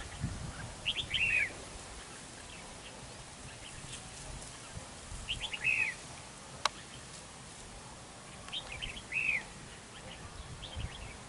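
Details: Red-whiskered bulbul decoy in a trap fight, singing a short slurred whistled phrase three times at roughly four-second intervals over steady background hiss.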